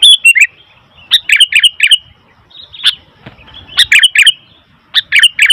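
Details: Sooty-headed bulbul calling noisily in quick clusters of loud, slurred chirps, three or four notes per cluster, repeated several times with short pauses.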